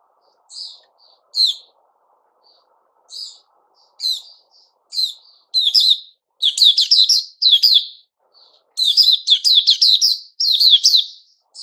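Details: Caged white-crowned shama in its moult season, 6 September 2021: sparse single chirps at first, then increasingly dense, fast whistled phrases that sound sharp and ringing.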